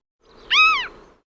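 A gull gives a single nasal, mewing call lasting under half a second. It rises slightly and falls away, with a rich, reedy tone and no other sounds.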